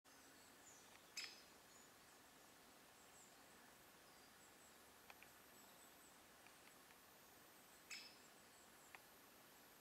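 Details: Great Spotted Woodpecker in a forest on 21 October 2024, giving two sharp, high 'kik' notes about seven seconds apart, with fainter ticks between, over a steady forest hiss.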